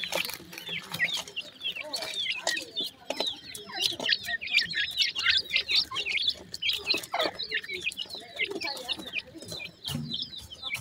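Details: Grey francolin chicks while feeding: a dense, continuous chorus of high, thin chirping peeps from many overlapping chicks, with short sharp notes packed closely together throughout.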